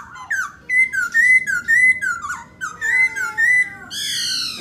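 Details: Black laughingthrush in full song while dancing, delivering a loud run of clear, falling whistled phrases repeated about twice a second, ending in a rich buzzy note.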